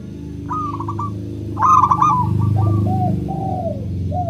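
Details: Local zebra dove song used to prompt other doves to sing: a short stuttered coo, then a louder burst followed by a string of slurred falling coos, over a strong low hum.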